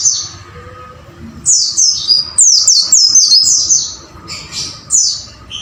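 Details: White-eye training song for caged birds: after a quiet start, a fast series of piercing downward-slurred chirps repeated several times per second.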